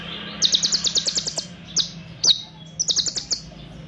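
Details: Olive-backed sunbird song used as a training recording: rapid bursts of sharp, high chips strung into fast rattling trills, a long series then shorter clusters, with a faint low hum underneath.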